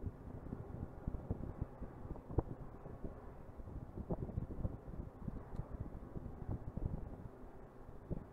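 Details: Gusty wind buffeting and low rumble in Montreal, Canada, with faint crackles and no animal calls.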